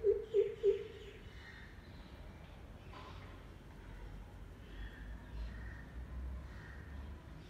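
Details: A Greater Coucal (crow pheasant) gives three deep, booming hoots in quick succession in the morning, then falls quiet; faint calls of other birds continue behind.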